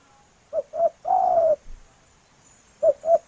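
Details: Spotted dove female calling to a male: a pair of brief soft coos followed by one long, slightly descending coo, then another pair of short coos begins, against a quiet background.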